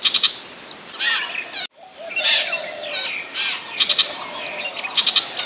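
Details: Burmese shrike giving harsh, scratchy chattering bursts mixed with sharp, high ticking notes in irregular runs with a brief break; a decoy call used for trapping.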